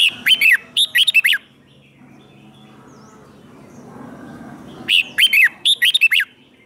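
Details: Red-whiskered bulbul kept in captivity, fighting song for training: two clusters of quick, slurred whistled notes at the start, a long quiet gap with low hum, then two more clusters of similar bright, bouncing phrases.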